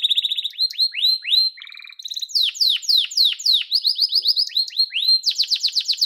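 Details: Yellow domestic canary pouring out loud downslurred whistles in rapid series, with a low buzzy roll in between, then a fast trill and bright high chattering notes at the end.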